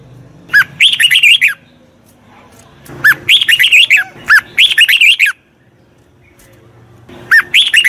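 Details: A wild-caught red-whiskered bulbul in song training sings bursts of bright, bubbly whistled notes, each phrase about a second long, repeated every couple of seconds with quiet pauses between.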